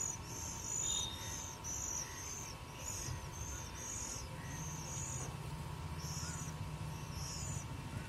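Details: Oriental magpie-robin family at a bird house, adults feeding chicks; short, thin, high chirps come in quick bursts all through, over a steady low hum.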